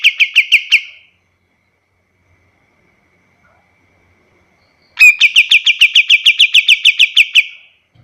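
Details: Kapas tembak song used as a master recording for teaching other birds: a short string of clear, quick whistled notes, a pause of about four seconds, then a longer even series of about fifteen bright, rapidly repeated notes.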